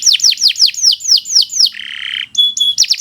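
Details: Canary, Kenari Nusantara type, singing a long training song: a run of fast downslurred whistled notes about five per second, then a buzzy rattling trill, then high pure ringing tones and more quick slurred notes.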